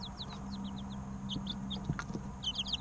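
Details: Young chicken chicks, three weeks old, give evenly spaced high descending peeps that bunch into a fast overlapping flurry at the end, with a few soft thumps and low hum.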